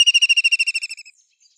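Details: A White-throated kingfisher trill already underway: quick, evenly spaced shrill notes that gradually drop in pitch and fade out after about a second.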